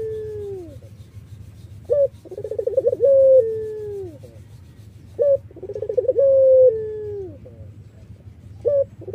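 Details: Iraqi-type collared dove singing, kept as a lure for other doves: a brief high opening note, then a rapidly pulsed coo sliding into a long falling drawn-out tone, three phrases in succession over a low hum.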